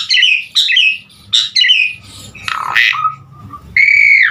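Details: Asian pied starling's vigorous song stuffed with varied phrases, used as a lure for other starlings: scratchy chirps, a harsh rasping squawk, a short flat note and a closing long downslurred whistle.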